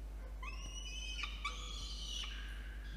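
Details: Peregrine falcon chick at a nest box atop a water tower in Orange, New South Wales, Australia, begging as an adult male brings dinner on an evening in November 2021; thin, high, drawn-out wavering whistled cries over a steady low hum.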